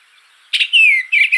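Eastern Bluebird giving a soft, slurred whistled phrase: a brief warble, then a falling whistle and a final burst, all high-pitched and clear.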